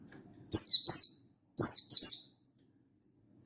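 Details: Mountain white-eye (buxtoni) in energetic wild-style calling toward a rival, 16/8/22: two pairs of shrill falling whistles, each pair about half a second apart, then a fifth note begins; quiet low hum between.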